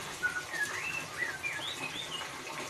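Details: White-rumped shama, ngeriwik song style for luring a quiet bird: a short sequence of clear whistled notes, several gliding up or arching over, fairly soft against background hiss.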